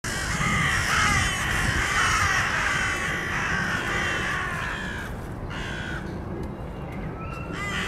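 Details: Crows during a reprisal fight: a dense, overlapping chorus of harsh, raspy caws runs almost without pause for about five seconds, then breaks into scattered shorter caws over steady background noise.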